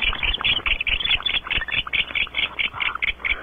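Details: Barn owls in a nest box at Audubon Starr Ranch, California, as the female enters and the pair mates; fast, even run of short, high chittering notes, a little over two per second, over a faint low rumble.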